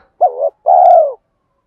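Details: Spotted dove coo from male and female calls that stimulate captive doves: a short wavering note followed after a brief gap by a longer, smooth, gently falling note, clean with no background.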